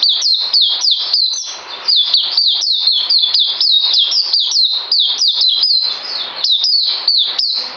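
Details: Bird singing, recorded 9 December 2018: continuous stream of bright, high, downward-slurred whistled notes repeated several times per second, steady and unbroken throughout, with no other clear sounds.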